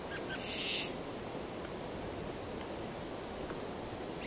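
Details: Brambling delivers a short, flat, buzzy wheeze early on, followed by background hiss and a few faint clicks and ticks.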